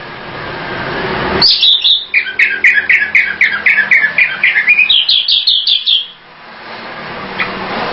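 A flowerpecker gives a quick run of about twenty sharp, high chipping notes, some four per second, climbing higher toward the end before stopping.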